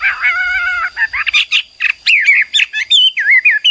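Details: Caged Chinese hwamei, or wambi, in energetic song: a steady drawn-out harmonic note, then quick jumpy notes leading into curling, slurred whistles, with a constant thin high tone in the background.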